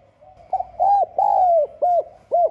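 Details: Spotted dove (Spilopelia chinensis) coo recording used to provoke rival males and as a decoy call: a series of low, hollow coos, each arching up then falling, with a longer drawn-out coo in the middle.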